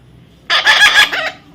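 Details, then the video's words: Baby parrot being tamed and offered food, giving a harsh, raspy burst of about five quick pulses lasting under a second, each broad and grating, between a person's calm spoken questions. "natural funny parrot sound"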